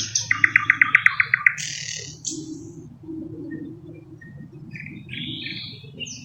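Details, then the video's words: Thrush nightingale (Luscinia luscinia) song, a mimic with 15-20 song types: a rapid run of about ten loud, ringing notes, then buzzy rasps and scattered high whistles over a low background rumble. "How Thrush Nightingales Mimic Other Birds"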